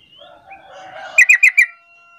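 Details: Sooty-headed bulbul lure call, used to prompt other bulbuls to start calling back; a quick burst of four bright, harsh chattering notes, evenly spaced, after a faint murmur of softer background sounds.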